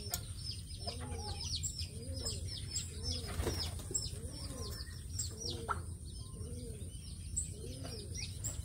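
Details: Brahma chickens in their coop, picked up by a CCTV camera: soft, arched low clucks repeated roughly every half second to a second, mixed with thin high chirps over a steady low hum.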